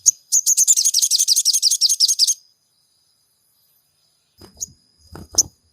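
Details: Crimson sunbird song as a lure for a caged bird: a fast, two-second burst of high, twittering sweeps, nearly four notes a second, followed by quiet with a faint whine, a few clicks and soft knocks.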